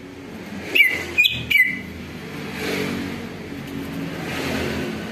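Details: Greater green leafbird (Chloropsis sonneratii) song used as a lure to prompt other leafbirds to answer and sing: three quick, bright whistled notes in the first two seconds, then a steady rush of passing traffic.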